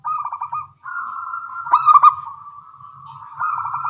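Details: Morning exchange of local zebra doves: a quick stuttering run of coos flows into a sustained level purr, then a second, louder bird breaks in with sharp pulsed notes before the steady trill returns.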